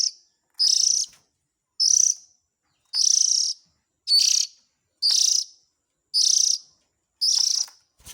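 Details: Young Oriental magpie-robin calling, used as a lure for adult birds; eight hoarse, hissing rasps come at a steady pace of about one per second in an otherwise quiet recording.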